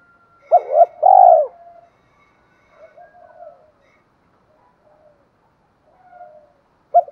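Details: Lure recording of a spotted dove of 'giọng thổ' voice, meant to provoke wild doves: one loud phrase of a brief double note and a long burry coo, then soft trailing murmurs and quiet, with one more note at the end.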